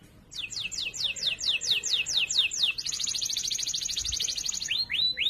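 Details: Canary training song, loud and clear, meant for other canaries to learn: a series of slow descending sweeps, then a fast buzzy high trill, ending with two rising whistled notes.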